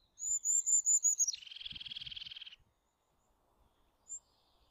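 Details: Eurasian jay call: a run of thin, high whistled notes slides down into a harsh, rapidly pulsed rasp lasting over a second, then quiet with one faint high note.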